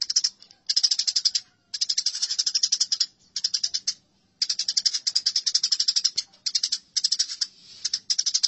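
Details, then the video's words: Eurasian tree sparrow fighting calls: repeated bursts of loud, rattling chirps in quick succession, with gaps of under a second between runs. "Masteran Gereja Tarung || Gereja Tarung"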